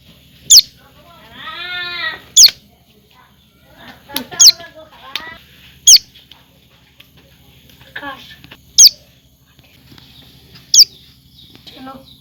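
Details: Common tailorbird chick calling: six thin, high chirps that drop sharply in pitch, spaced about two seconds apart, with a brief low wavering voice-like sound early on and light rustling.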